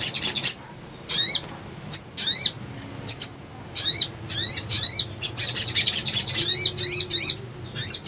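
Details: Sogon (male, per tags) giving bursts of sharp, chevron-shaped notes, high and slightly harsh, fired in quick runs every second or so, with a faint low hum underneath.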